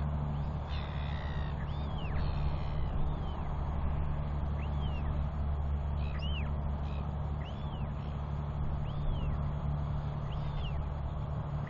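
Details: Royal albatross chicks on 9 June 2021, calling while a father arrives to feed and preen one of them; arched whistled 'whee' notes repeat about every second, with a few harsher stacked calls early on, over steady low wind rumble.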